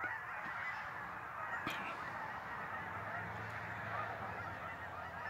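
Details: A big flock of migrating geese over Lake Champlain, northern New York, honking nonstop. Many overlapping nasal calls blend into one thick, unbroken clamour, with a soft low hum beneath.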